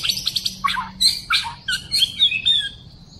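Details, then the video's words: A wild white-rumped shama sings a rich, fast run of varied notes: clear fluty whistles mixed with sharp chips and brief rising and falling phrases. "White-rumped shama wild - Sounds birdsong great"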